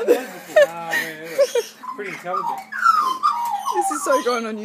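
Australian magpies give odd gurgling, warbling notes that slide up and down, ending in a long descending warble, with a voice-like quality throughout.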